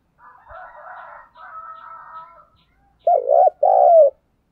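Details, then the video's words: Spotted dove decoy cooing to attract wild doves. Soft chattering and a thin whistled tone come first, then two loud, low coos: a hooked note followed by a longer purring one that drops at the end. "tiếng chim cu gáy gọi mồi và bổi, giọng hay và rất may bổi"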